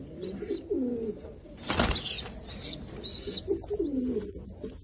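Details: Fancy American Shamshi pigeons cooing in a small room: several low, throaty rolling coos that dip and swell, overlapping one another, with a sharp thump near the middle.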